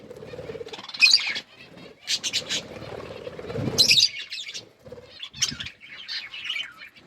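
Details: Pet budgerigars chirping while eating food: sharp, high, scratchy chirp bursts near one and four seconds, with shorter chirps and scattered chatter between them, over soft crunching and rustling sounds.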